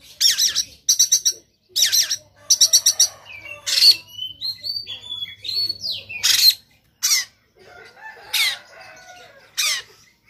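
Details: Oriental magpie-robin of the Sumatran type, fighting with tail spread, giving harsh 'shot' song: bursts of rasping broadband notes alternating with clear whistled glides and slurred phrases, loud and irregular, with a faint low hum underneath.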